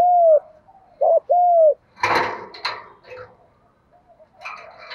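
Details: Decoy spotted dove for trapping gives two low 'giọng thổ' coo phrases of a double note and a drawn-out coo, followed by loud clattering knocks and rustling.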